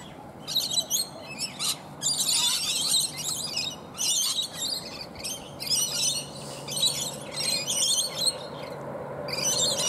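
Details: A flock of rainbow lorikeets feeding among bottlebrush blossoms up high in a tree, giving dense, shrill, rasping screeches in repeated bursts through the whole stretch, many birds calling over one another.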